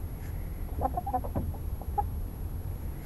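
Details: Chickens settling down to roost at night inside a coop: a few soft, low clucks cluster around the middle of the clip, then one more brief cluck, over a steady low rumble.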